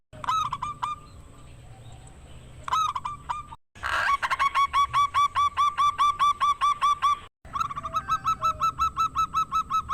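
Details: Loud, rare-voiced local zebra dove used as a lure to make rivals sing: a few spaced coos, then a fast, even rattle of clipped notes and another rapid run after a pause.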